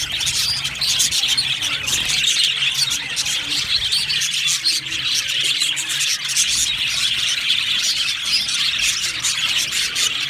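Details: Happy budgerigars in an aviary chatter as a flock: steady overlapping high chirps, tweets and squeaks from many birds, forming a constant bright twittering background.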